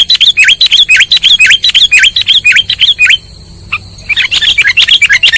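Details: Sooty-headed bulbul lure call used for bird trapping: rapid bright chirps sweeping down then up, about two per second, with a short pause near the middle. Steady high whining tones run throughout.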